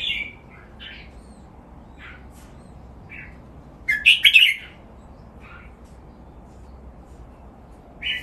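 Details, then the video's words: Caged red-whiskered bulbul training song: scattered soft, short chirps every second or so, with one loud burst of rapid, bubbly warbled notes midway, under a steady low hiss. "นกกรงหัวจุก ร้องเล่นริก"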